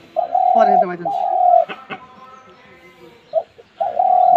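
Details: Spotted dove cooing: two long, steady, husky notes early on, then a quieter gap and another coo starting near the end. People speak faintly underneath and a brief clatter falls between the notes.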